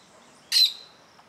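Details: A Plain Parakeet close to its nest, watching a nearby observer, gives a single shrill, harsh, slightly buzzy screech lasting about a quarter second, over faint background hiss.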